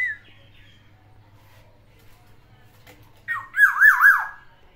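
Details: Caged black-naped oriole kept at home, its song filled with imitations of other birds: a brief whistle, then a loud run of rapid wavering, looping notes lasting about a second.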